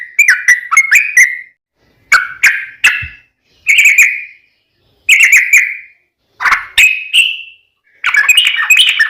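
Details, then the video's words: Sooty-headed bulbul song used as a lure to make other bulbuls sing: bubbly whistled phrases of quick notes around mid pitch, in short bursts separated by brief pauses, each burst ending in a slurred falling note. "trucukan gacor ROPEL PANJANG buat pancingan trucukan agar bunyi"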